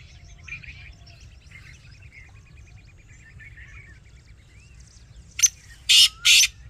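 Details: Black francolin call near the end: a short sharp note, then two loud harsh grating notes, after a quiet stretch of distant bird chirping.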